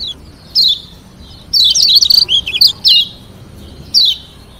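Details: Lombok yellow white-eye, locally kecial kuning, singing a varied song meant to provoke rivals into answering: short high twittering bursts with rapid sweeping notes, several phrases separated by brief pauses, over quiet background.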